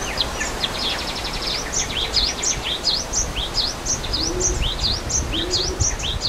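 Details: Java sparrows calling in nature beside a waterfall: quick, high, V-shaped chip notes repeated rapidly, about one and a half per second, some overlapping, with constant rushing water underneath.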